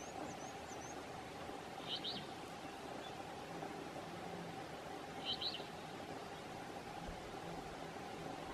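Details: Alder flycatcher giving its two-note call at Umbagog National Wildlife Refuge, Oxford County, Maine, on 18 June 2016: two brief, high double notes a few seconds apart over a steady low hum, with faint thin bird notes early on.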